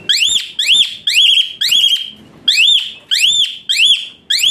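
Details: Asian pied starling song used as therapy for a lazy-singing starling, full of varied fill and hot bursts: loud whistled notes sweeping up then down, repeated in a rapid series with a short pause midway.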